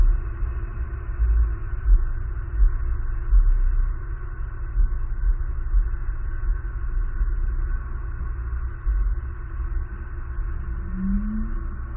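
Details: Low rumbling hum and steady broadband noise with no animal calls.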